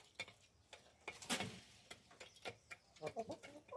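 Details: Tame Light Brahma hens kept in a backyard eating corn: soft short clucks scattered among sharp pecking taps, with a brief cluster of low murmured notes near the end.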